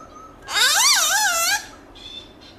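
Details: Black-throated laughingthrush, wild-style loud song of many voices: one rich, wavering whistled note that swoops up and down for about a second, followed by faint softer notes.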